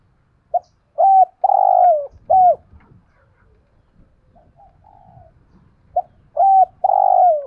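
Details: Cooing decoy spotted dove calling wild doves, 'thổ' voice; a full phrase of clipped note, arched coo, long falling coo and final coo, a soft low murmur, then the phrase starting again near the end.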